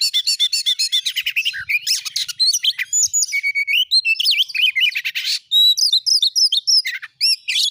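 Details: Oriental magpie-robin singing loudly as a provocation lure for other magpie-robins, a long, dense stream of high chattering notes, rising and falling whistles and quick trills, tightly packed with only brief gaps.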